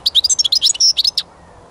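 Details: European goldfinch singing during songbird trapping: a quick run of bright, tinkling twitters and chirps with buzzy notes, about one second long, then quiet.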